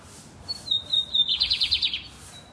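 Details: Bigodinho, the lined seedeater, in loud, full-toned song: high thin whistled notes stepping down in pitch, then a fast buzzy trill of about eight evenly spaced pulses, over a quiet background.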